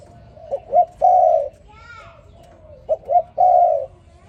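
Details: Spotted dove cooing in the morning: two phrases of paired short rising notes, each ending in a long, steady mellow coo. A brief higher sound falls between the phrases.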